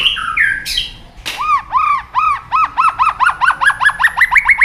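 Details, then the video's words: White-rumped shama song used as a lure for silent shamas: two whistled slides and a sharp crack, then a long series of arched whistled notes that speeds up and rises slightly toward the end. "pancingan murai batu gacor bikin yang lain DOWN!!pancingan burung murai batu nyaut"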